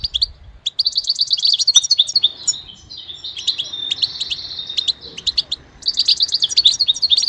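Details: Goldfinch singing: high, rapid twittering bursts of chirps and buzzy trills, two long phrases with a brief pause between, quiet background.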